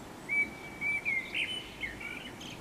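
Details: Common blackbird perched in a tree, singing: a run of short, clear whistled notes held at a steady pitch, then a fuller rounded note and a softer warbling twitter trailing off, over a faint hiss of background noise.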